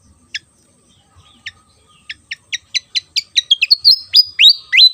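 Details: Javan fantail singing actively: sharp high notes, sparse at first, speed up into a quick run, then end in sliding whistled notes that rise and fall. The background is quiet.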